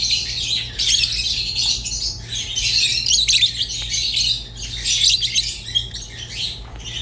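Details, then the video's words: Rosy-faced and Fischer's lovebirds chatter in uneven bursts of shrill squeaks and scratchy notes, separated by short quieter gaps, with a faint hum below. "تغريد ولا أروع | روز و فيشر غندور بصوت ساحر وممتع"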